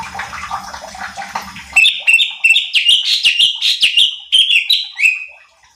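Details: Cucak cungkok bulbul singing in a training recording to excite other birds: after a soft, hissy opening, a rapid chain of loud, clear whistled notes, each rising or falling quickly, about three per second.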